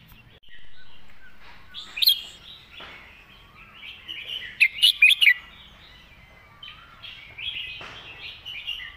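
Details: A red-whiskered bulbul performs its "master song" with graceful phrasing: a sharp note near the start, then a burst of four quick, loud chirps mid-clip, over steady warbling of other birds.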